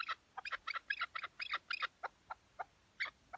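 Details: A tethered chukar partridge calls during a partridge hunt in Şırnak, Turkey, giving harsh, clucking chuk notes in fast, uneven bursts of several per second that build into a rattling series and then space out.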